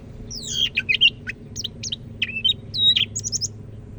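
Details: Greater green leafbird, known locally as Cak Ijo Medan from Medan, North Sumatra, in full loud song: rapid varied whistled notes, slurred rising and falling phrases and sharp chips in quick bursts, over a low steady hum.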